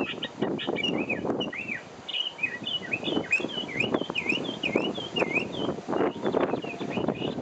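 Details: In Taiwan, an endemic Taiwan hwamei delivers a fast run of clear whistled notes, many dipping and rising in quick loops, against steady low rumble like distant traffic or wind.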